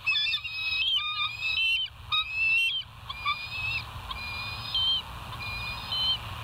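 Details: Wild bald eagles, West End nest cam, early morning 05:24 on 08/06/2023; layered piping whistles in drawn-out phrases, several overlapping, given in bursts every second or two over low rumble.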